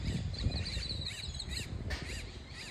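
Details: American coot chicks in San Diego give thin, high peeps, short arched notes repeated about twice a second, over a steady low rumble of wind or water.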